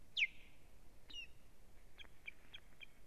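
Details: Osprey female at her nest on a live nest camera, 1 May 2017, attacked by strange ospreys; one loud, sharp whistle slides steeply downward, then several faint short high notes follow against a quiet background.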